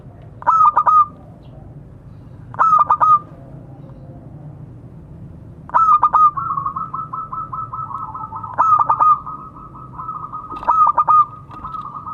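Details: Zebra dove calling out to others: five bursts of quick, stuttered mellow cooing notes, each lasting under a second, spaced about two to three seconds apart, with a steady sustained tone running beneath the later half and a low hum throughout.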